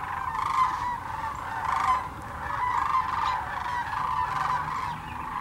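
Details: Sandhill cranes, thousands strong, at Hiwassee Wildlife Refuge, East Tennessee; strong rattling trumpet calls repeat roughly every second, layered voices from the crowded flock.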